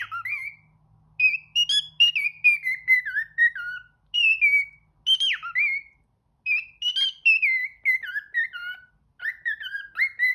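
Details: Caged house parrot singing and talking, whistled phrases that jump up then descend in steps, repeated in several bursts separated by brief pauses, with a faint low hum at the start.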